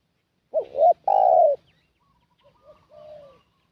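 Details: Spotted dove calling as a decoy to attract wild doves: one loud phrase of a looped rising note and a long falling coo, then quieter, more distant dove coos answering.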